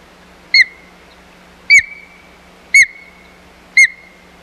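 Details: Osprey at the Hog Island nest, 4 May 2020, during a fight over the nest: four sharp whistled calls, each a bright note trailing off into a thin level tone, spaced about a second apart, over a steady low hum.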